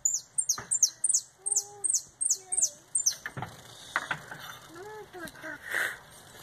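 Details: Retinido canary coming out of molt: a quick series of ringing, high descending notes for about three seconds, then it breaks off into scattered lower whistles, clicks and thumps.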